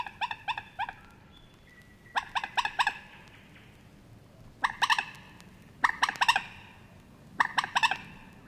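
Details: A moorhen in the reed beds of Matsalu, Estonia (1979 field recording), gives harsh, clipped notes in quick bursts of three or four, repeated every second or two over a quiet background.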